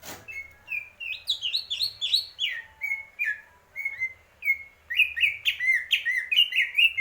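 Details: Greater green leafbird delivering a fast series of clear whistled notes, rising and falling phrases that turn into quick bright trills toward the end, with a faint low hum beneath.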